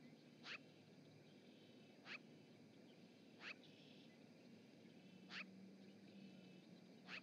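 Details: Magpie at the Charlo osprey nest in Montana on 7 March 2018, picked up by a live nest camera. Five loud, harsh, raspy single calls come at roughly one-and-a-half-second intervals over a steady low hum and background noise.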